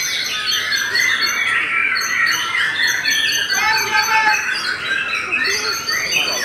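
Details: White-rumped shama of the Belanda type gives a flowing song of warbled whistles and chirps, including a clear falling whistle midway, over constant hiss.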